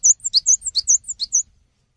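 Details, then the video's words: Close, loud cinereous tit singing lively for songbird tutoring: a quick series of about ten high, piercing notes alternating between two pitches, ending abruptly. "GELATIK BATU GACOR UNTUK MASTERAN"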